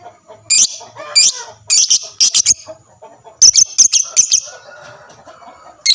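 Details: Chattering lovebird, recorded to get other lovebirds to reply, giving shrill, high, strident chirps in quick clusters, then a softer, lower warbling stretch near the end.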